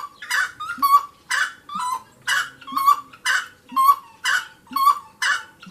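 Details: Wood rail (saracura) singing: loud, raucous harmonic calls, each a rough burst followed by a clear upward-inflected whistled note, repeated in a steady rhythm about once per second throughout.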